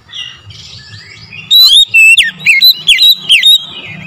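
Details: Morning song of an oriental magpie-robin used as a lure: faint warbling, then a loud string of bright whistled notes, some sliding down sharply and others flat and ringing, about seven notes in two seconds, with soft chirping behind.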